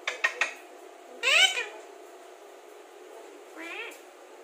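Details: Talking Alexandrine parakeet: a few quick clicks, then one loud, harsh, arching call, followed after a pause by a softer, shorter call, over a low steady hum.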